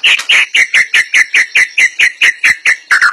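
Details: White-rumped shama repeating a harsh, buzzy note about four times per second, roughly a dozen evenly spaced strokes with the final one slightly lower.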